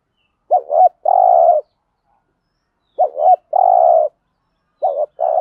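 A spotted dove gives soft, mellow coos: a quick stuttered pair followed by a longer drawn-out note, repeated about every two and a half seconds, with nothing else heard.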